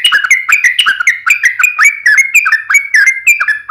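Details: Trucukan, or yellow-vented bulbul, in a continuous fast run of the fighting-style wild rapid song tarung ngalas ropel: rhythmic, downslurred whistled notes repeated about four times a second without a break.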